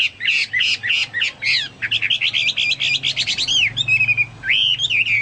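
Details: Chinese hwamei in full song, likened to a Papuan or golden bulbul: a rapid burst of clipped notes flowing into bright rising and falling whistles, ending in sweeping slurred phrases.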